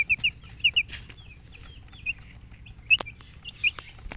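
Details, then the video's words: Chicks chirping from thirst for drinking water: sharp high peeps, often in quick pairs, scattered across the clip, with clicks and knocks in between. "Murgi chicks Chirping sounds with thirst for drink water"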